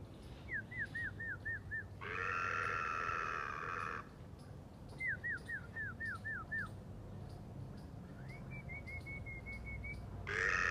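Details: Red-naped ibis, also called Indian black ibis, in a residential area at a compound wall where people leave food for birds, giving quick runs of five or six short, falling, nasal notes, three times, between long, loud, steady horn-like blaring tones.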